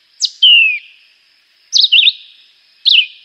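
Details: Chivi vireo (juruviara) song: a sharp high note sliding into a long falling whistle, then after a pause two quick warbled phrases with rapid up-and-down slurs.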